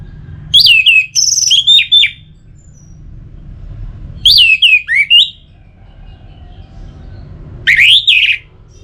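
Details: Song of an orange-headed thrush used as a stimulus to make birds sing, three phrases roughly every three and a half seconds, each of descending whistled notes with thin high squeaks over faint background hum.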